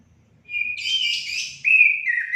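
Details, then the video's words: Short orange-headed thrush phrase meant to stimulate pet birds: a level thin whistle, a rich warbled flourish, then a loud falling whistle. "Langsung nyaut gacor anis kembang anda"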